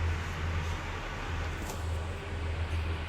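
Steady low rumble of passing vehicles and road traffic, with no animal voice heard.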